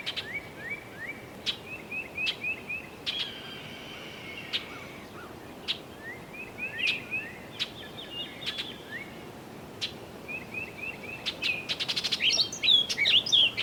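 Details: A woodpecker pecks a tree in the countryside at the end of the day, with sharp taps every second or two and a final quick rattling burst, while small birds chirp amid slight wind, a distant plane and road hum.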